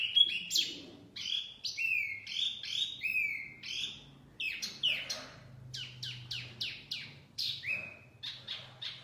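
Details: A mini wambi sings for luring birds, giving clear, bright whistles that jump between pitches and sweep downward, spaced irregularly, over a soft low background hum.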